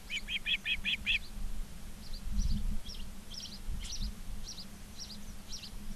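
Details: Osprey at a Charlo, Montana nest, 19 August 2023, afternoon; a quick burst of five clear whistled chirps followed by fainter, softer chirps in a loose series, with low rumbling hum behind.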